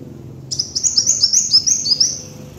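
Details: High, rapid series of about ten sharp downslurred chips from a kolibri wulung sunbird, used as a bird-trapping lure, each note quickly following the last, with a quiet low hum underneath.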